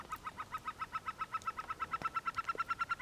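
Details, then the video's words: Himalayan snowcock in Lamoille Canyon, Nevada, gives a fast, even cackle of clipped mid-pitched notes, about seven each second, held steady for several seconds over faint background noise. "Himalayan Snowcock Calling"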